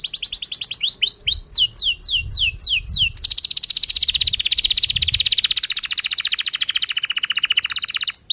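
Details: Canary song meant to get other canaries singing: a buzzy trill and slurred downswept notes, then an extended rapid rattling trill, with soft low thumps in the background.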